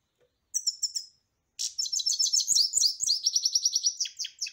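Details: European goldfinch singing: two bursts of bright, high tinkling twitter, a brief trill, a pause, then a longer run of rapid liquid chirps and buzzy notes, quick and jumbled.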